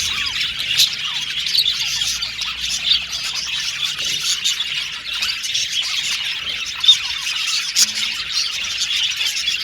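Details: Australian budgies singing in a flock: fast, overlapping high chirps, short squawks and little whistles form an even chatter, with a couple of sharp louder notes.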